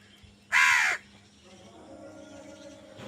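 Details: A single strong, grating caw from a crow lasting about half a second, followed by quiet background with a low hum.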